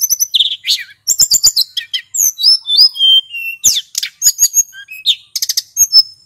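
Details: Nonstop song of a male hill blue flycatcher used to lure birds. Bright whistles bend up and down between fast ticking chips and short rattles, forming a rich, varied medley.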